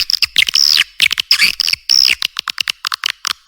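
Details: Swiftlet call played to attract birds to nest houses: drawn-out, shrill, sweeping chirps and twitters, then a string of short clicking notes.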